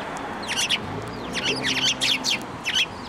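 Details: Sparrows flying onto a person's hand to be fed at a Tenmangu shrine, 3 March 2024; quick clusters of sharp, twittering chirps repeated several times within three seconds, with a faint low hum behind.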